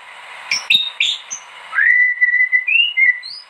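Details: White-rumped shama song, a gacor bird used as master song for training: short sharp notes at first, then a long clear whistle held level and gently rising at the end.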